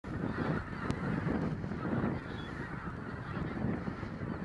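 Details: Geese on the Bislicher Insel on 7 January 2014, a dense mass of overlapping low honking calls from many birds forming a steady, noisy chorus with no pauses.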